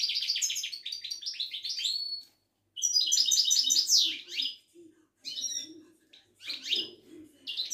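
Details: Widani goldfinch from Morocco in full song, quick liquid twitters and chirps tumbling in bursts with a sweeping descending slur, separated by brief silences; faint low murmur behind.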